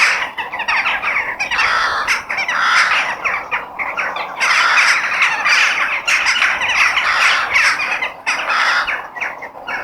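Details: Crows in a natural outdoor setting, harsh grating caws repeated in bursts every second or two, loud and layered over a constant chorus of chattering birds.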